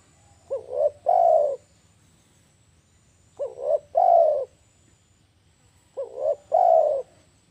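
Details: Spotted dove (tekukur), a call used to lure birds, repeating a low cooing phrase three times about every two and a half seconds: a short rising double note followed by a longer, louder drawn-out coo.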